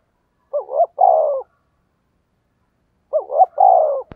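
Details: Spotted dove 'thúc gù' lure cooing aimed at wild doves: two separate low phrases, about two and a half seconds apart, each a short hiccuping note pair leading into a drawn-out falling coo, ending with a sharp click.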